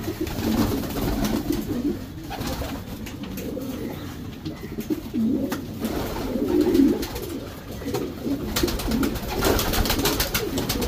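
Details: Racing Homer pigeons, a domestic racing breed, in a breeding section: low, throaty rolling coos overlap in bursts, with several birds calling at once and faint rustling and clatter behind.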